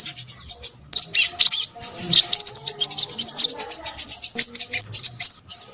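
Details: Crimson sunbird in boisterous voice: piercing, high twittering notes tumble almost nonstop after a brief gap near the first second, with faint steady low tones underneath.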